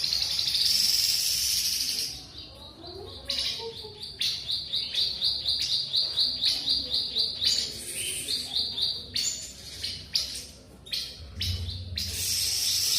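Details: Caged grey-headed babbler, kept for under a month and already singing freely: a run of short, clear, high whistled notes repeated rapidly for about four seconds, set among loud clicks, rustling and hissy noise bursts.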